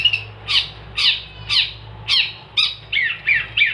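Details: Long-tailed shrike (cendet) in energetic 'gacor' song for training cage songbirds: harsh rasping notes repeated about twice a second, the later ones quicker and falling in pitch.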